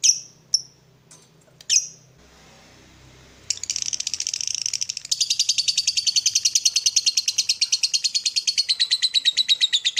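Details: Lovebird morning chatter meant to stimulate other lovebirds: a few isolated sharp chirps, a brief pause, then a sustained fast buzzy trill of high rattling notes running to the end.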